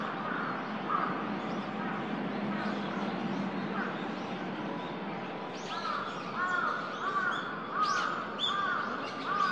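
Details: Eurasian coot at Shinobazu Pond in Ueno, recorded 10 December 2021. After about six seconds of steady city-like hum, short nasal harmonic notes begin. They repeat irregularly, several in quick succession, over a constant low background roar.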